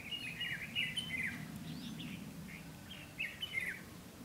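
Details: Decoy red-whiskered bulbul singing competitively to lure wild birds into a trap, recorded 12 August 2016: quick chirpy warbled phrases in two clusters, bright and liquid, separated by a short pause, with low rumbling background noise.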